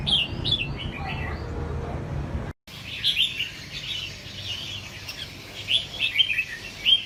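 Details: A caged red-whiskered bulbul kept for competition gives rapid sweet chirping phrases; after a brief cut the bird sings on, several cheerful rising and falling notes clearly above a quiet background.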